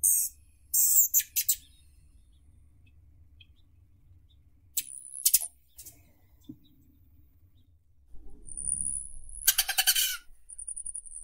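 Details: A Rufous hummingbird (Selasphorus rufus) gives very high, thin, buzzy chips in short bursts, with a few sustained high squeaky notes and a faint low rumble underneath.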